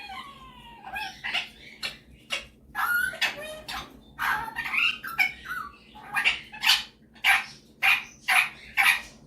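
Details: Male superb parrot kept as a pet, showing off its voice indoors: rising whistles and squawky phrases, then a fast series of sharp, harsh chirps repeated roughly every half second.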